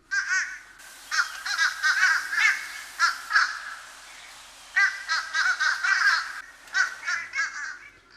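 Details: Fish crow in Hampton Roads, its call likened to ha, ha, hey, often repeated, a faint imitation of the common crow as if troubled by a cough or cold: nasal, clipped notes in quick irregular bursts with short pauses between groups.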